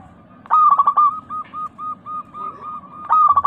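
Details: Local zebra dove used as a singing lure for pet doves. A loud, quavering coo burst is followed by a row of soft, steady coos, and a second burst begins.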